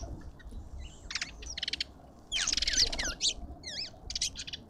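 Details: A lovebird gives shrill, rasping chirps and screeches in quick bursts, with looping slurred whistles from other birds mixed in, at a busy feeder in a suburban garden in Pretoria, South Africa.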